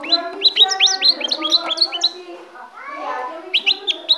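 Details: Pet goldfinch from Ecuador delivering fast, bright upslurred chirps in a rapid run, a short lull with a soft murmur in the background, then the chirping resumes in a quick burst.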